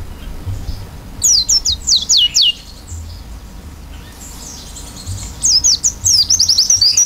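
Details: Oriental white-eye in fill-in style song: two bursts of rapid, high, downward-sweeping whistled notes separated by a quiet pause of a few seconds, over a soft low hum.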